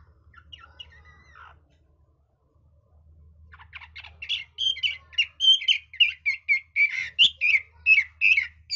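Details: Chinese hwamei song in a switching-voice style: a few faint scratchy notes, a pause, then loud whistled phrases building to a quick run of clear slurred notes about once a second over a low background hum.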